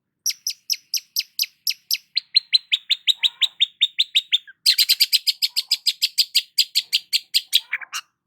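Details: Morning song of a long-tailed shrike basking in the sun, a long run of crisp, high chipping notes repeated about four times a second, then a denser, faster rattling series of bright chirps.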